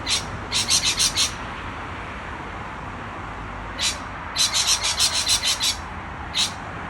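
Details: Excited lorikeets trade fast volleys of short, shrill, raspy chirps, one burst of five, a pause, then a longer run of about eight, ending with a lone squawk.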